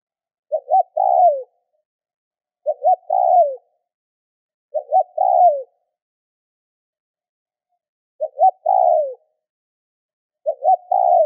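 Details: Repeated spotted dove calling used to stimulate other doves; five phrases of two quick rising notes and a longer downslurred coo, spaced roughly two seconds apart.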